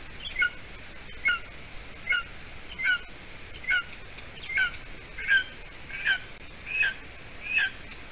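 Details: Golden eaglet, about seven weeks old, at its nest in Latvia on an evening in late June, when the adult female brings a piece of roe deer leg hide. Gives high, slightly falling double-noted peeps, repeated a bit more than once a second.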